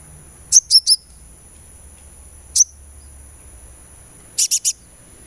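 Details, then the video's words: Sunbird, recorded as therapy sound to make birds sing: a quick burst of three high, piercing chips, a single chip a second and a half later, then another fast triplet, with a faint constant high tone behind. "suara terapi kolibri supaya gacor"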